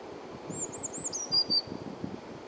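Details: Blue tit song at Uppsala Botanic Garden, loud and clear: four or five thin, very high descending notes running into a lower, buzzy trill. A soft low rumble continues underneath.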